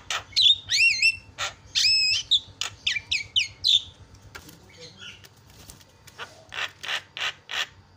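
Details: Javan myna song variations meant to provoke rival mynas: looping whistles rising and falling, squeaks and short clear notes in quick succession, a quieter scratchy passage, then a series of harsh rhythmic chacks, over a steady low hum.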